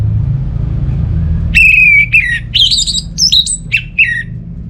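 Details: Orange-headed thrush song from Singaraja, Bali, played as a lure for non-singing birds: after a quiet start, a long falling ringing whistle, then choppy high buzzy notes that jump up and down, with low hum underneath.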